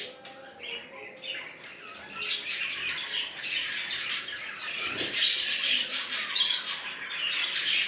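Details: Budgerigars in a newly formed colony with red-eyed birds: chatter starts quieter, then grows after a thump into dense high squawks and chirps, over a faint hum.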